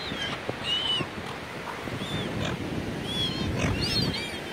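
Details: Seagulls calling at Port Campbell near Melbourne, recorded 12 June 2016: several short arched mewing cries overlapping across the clip, some paired, over a steady low rumble of surf and wind.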